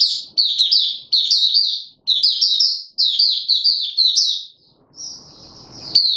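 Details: Caged white-eye pushed on form sings clean, rapid high twittered phrases in quick succession, ending with one drawn-out high note and a little low rustling.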